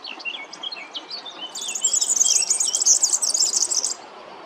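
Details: European serin song: after softer, scattered twittering, a loud, very high, rapid jangling trill of glassy, buzzy notes runs for about two and a half seconds, then stops.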